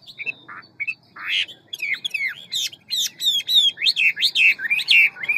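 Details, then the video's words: Hwamei of the 'ngũ trường' type singing a forest-style, many-voiced song, delivered rapidly: varied whistled phrases, short notes and then a run of loud, slurred, rising and falling whistles repeated about twice a second. "Họa mi ngũ trường giọng rừng mau mỏ nhiều giọng"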